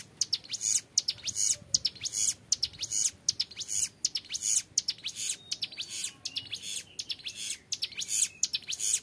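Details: Young Hill Prinia singing actively in the ngebren style, a long rapid rattle with clear tone: dense bursts of high, buzzy, clicking notes pulsing about once per second, with short gaps between bursts.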